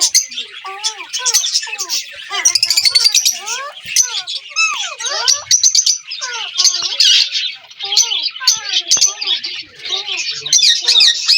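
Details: Indian ringneck parakeets, a group of talking parrots, keep up continuous chatter: many short, swooping, speech-like syllables and chirps tumbling one after another, with harsher raspy notes overhead.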